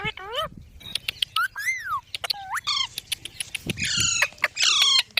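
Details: Green parrot, a pet talking bird: a varied series of clear whistled notes, some sweeping down, some rising, with short chirps and a few harsher buzzy calls in the final seconds.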